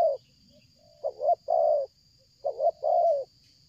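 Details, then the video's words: A spotted dove, calling hard during bird luring, repeats a stammered double note and a long mellow coo about every 1.4 seconds, with a faint quieter coo between phrases and a thin steady high tone behind. "tekukur ini kuat nguku dari jauh mendekat nguku takberhenti,penguku selang gagap"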